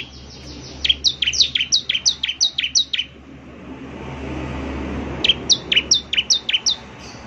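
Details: Bar-winged prinia with two bursts of rapid, high, down-slurred chirps separated by a gap filled with low rumbling background noise.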